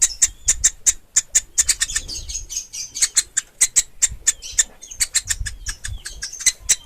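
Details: Woodpecker chick, pelatuk ulam: insistent stream of high, piercing chips, sometimes doubled, running almost continuously with faint low rumble underneath.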